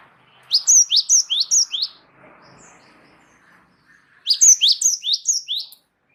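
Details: Rolling song of a wingko Java sparrow, singing strongly: two quick runs of five or six high, downward-sliding chirps, separated by a pause filled with faint, soft chatter.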